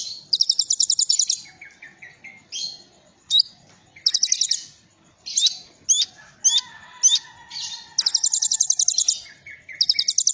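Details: Kolibri Ninja sunbird singing a 'Cililin'-style filled song: rapid bursts of high, bright repeated notes alternating with sharp upslurred chips and a lower descending trilled run, with soft background rustling.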